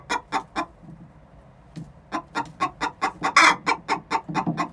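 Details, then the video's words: Six-month-old hens, two of them, in the egg song before laying: a few clucks, a short lull, then a rising series of clucks around one loud raspy squawk. "Chicken song before they lay"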